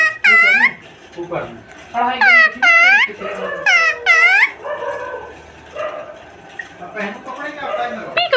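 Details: Pet Indian ringneck parrot talking nonstop and mimicking speech: loud, nasal, arched syllables in short bursts separated by brief pauses, with softer murmured phrases and people in the room between them.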